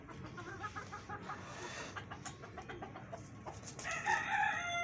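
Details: Rooster kept with a family of hens, mixed-colour breeds; soft scattered clucking gives way near the end to the loud, drawn-out harmonic start of a crow that is cut off as it builds.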